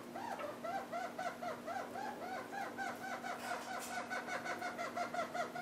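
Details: A pair of red-crowned parakeets eats half-ripe willow seeds, giving a fast, continuous chatter of arched, harmonic notes repeated several times per second, fairly even in pitch, with a faint steady hum behind.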